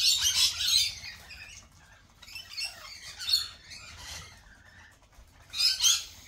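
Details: Lorikeets gathered at a cafe give piercing, grating screeches in short bursts, the loudest at the start and near the end, with quieter chattering between them.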